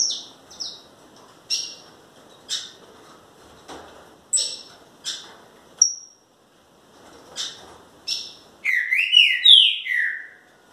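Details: Green-winged Saltator: a series of sharp, high clipped notes about every second, then a fast tumbling phrase of sweet slurred whistles that rises and falls before fading.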